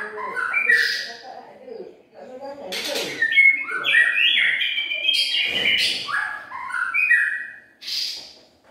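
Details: White-rumped shama song used as a lure (pikat), 2021: mid-pitched slurred whistles and chattering notes in varied phrases, with several loud sharp bursts mixed in.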